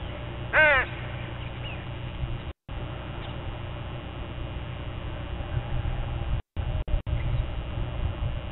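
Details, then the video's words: Crow at dawn, one of a group, giving one loud rasping caw early on, then quiet except a faint short note, over constant low rumble with several brief dropouts. "Dawn with a Murder of Crows"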